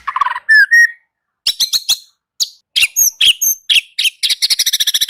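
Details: A white-rumped shama sings a mix of whistles, harsh chatters and sharp clipped notes, ending with a fast, evenly spaced rattling trill of high notes.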